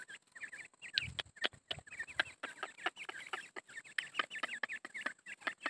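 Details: A grey francolin pair with chicks (perhaps two months old) give a steady run of short, squeaky, rising chirps, several each second, broken by sharp dry clicks and taps.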